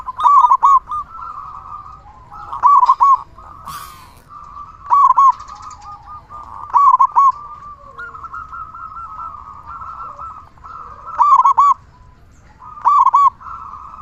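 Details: Loud local zebra dove singing as a lure for other zebra doves: repeated rolling, trilled coo phrases, each of a few quick bubbling notes, separated by a faint continuous drone.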